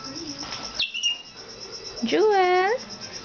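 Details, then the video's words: Pet Moluccan cockatoo talking, mimicking human speech: a short falling whistle, then a hoarse, voice-like word that rises and swoops upward in pitch, with a steady faint high whine behind. "TALKATIVE JEWEL "Moluccan Cockatoo""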